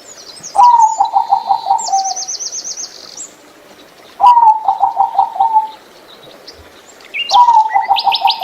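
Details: Kept zebra dove singing: three runs of rapid stuttering coos, each starting with a sharp accent then trailing off, separated by pauses of about two seconds, while small birds chirp and trill high above.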